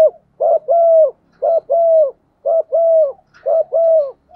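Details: A spotted dove cooing in the morning in the bổ một flock-calling style: a steady repeated two-note phrase, a short hoot followed by a longer level coo, about once a second, four times over.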